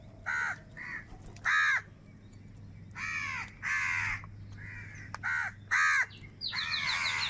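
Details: Crows calling live over food: rasping caws of varying length, some short and clipped, others drawn out and buzzy, in an uneven rhythm.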